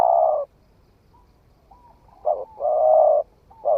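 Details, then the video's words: Spotted dove recently come into voice, tested in woodland: a long full coo, then soft whistled notes, then a stuttered pair leading into another drawn-out coo and a final short note. "Tiếng chim cu gáy mới nổi thử rừng"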